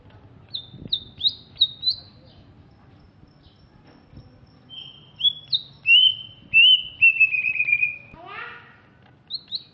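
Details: Greater green leafbird from Alas Purwo, Banyuwangi, East Java, opens with a series of sharp high chirps, pauses, then gives loud whistled slurs and a descending trill, a harsh layered note, and closing chirps.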